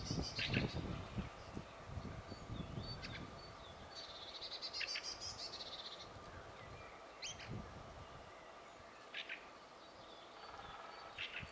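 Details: Fieldfare song captured with a Sony HDR-PJ10E camcorder: harsh chattering and thin squeaky notes in scattered bursts, with low rumbling handling or wind noise during the first seconds and a quiet hiss throughout.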